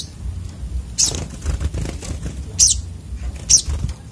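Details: Three quick, shrill, high chips from a sogok otong sunbird, mixed with soft fluttering and rustling sounds, over low background noise.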